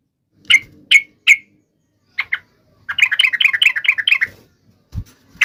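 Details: Sooty-headed bulbul song used to make other trucuk birds sing: three sharp separate chirps, a pair of short notes, then a fast bubbling run of rising and falling notes lasting over a second.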